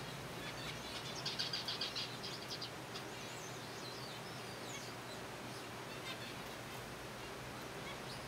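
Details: Kept zebra finches feeding on softfood: a quick run of about six clipped, evenly spaced high notes, then sparser chirps and slurred calls above a steady low hum.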